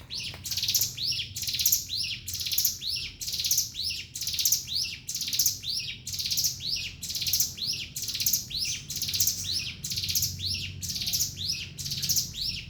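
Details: Javan sunbird (ciblek gunung) delivering its continuous 'ngebren' song: a steady run of high, sharp chirped phrases, each with a quick downward sweep, repeated roughly every second without pause, above a faint low hum.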